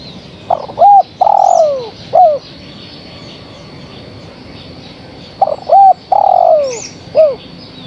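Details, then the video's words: Two full phrases from a female spotted dove calling the male, separated by a long pause. Each has two short coos, a long dropping coo and a final quick falling note. "Suara Tekukur Betina Gacor Memanggil Sang Jantan"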